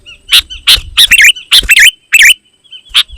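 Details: Sooty-headed bulbul singing, used to call wild bulbuls in the forest and to train caged birds; short bubbly, slurred phrases come in quick bursts of two or three notes, with a faint low rumble underneath.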